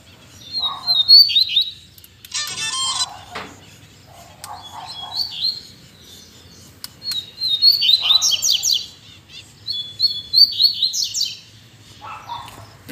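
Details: Two captive male Double-collared Seedeaters sing together, having resumed after stopping abruptly days earlier when the owner thought they were starting to moult: quick, high, twittering phrases about a second long, repeated every few seconds, with short rattly bursts between.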